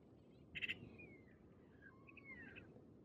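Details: Maghreb magpie at Oued Souss, Morocco, in November 2018: a short loud harsh burst, followed by a few thin whistled notes that slide gently downward, against steady low background noise.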